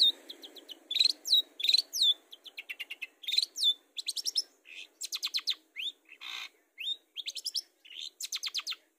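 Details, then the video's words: Long-tailed shrike song used as a lure to get other birds singing: a rapid varied medley of high chirps, downslurred whistles and dense buzzy note trains, phrases tumbling one after another with brief gaps. "Pancingan Burung Cendet supaya gacor"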